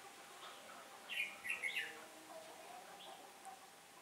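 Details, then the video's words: Trap decoy red-whiskered bulbul, recorded 15 October 2017 when the wind turned. It gives a single quick three-note warbled phrase, then near silence with light hiss. "Bẫy chào mào ngày trở gió"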